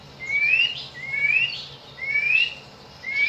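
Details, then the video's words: White-rumped shama, a recording played to coax other shamas into singing, for morning and afternoon: clean rising whistles from about two to three kilohertz, repeated roughly every second, over a faint low hum. "Pancingan murai batu untuk pagi dan sore hari"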